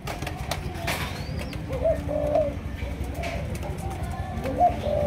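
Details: Two-month-old captive-bred Malaysian-line spotted dove of the 'chiêu gù chạy' (running coo) style, giving a few soft, low cooing notes spaced apart over steady low background rumble.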